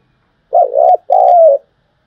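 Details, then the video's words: Lure spotted dove giving its trapping call: two loud, low, hollow coos, a wavering first note running into a longer, steady second note that droops slightly at its end. "tiếng cu gáy mồi chuẩn gáy gọi dùng kích bổi tập mồi rất hiệu quả"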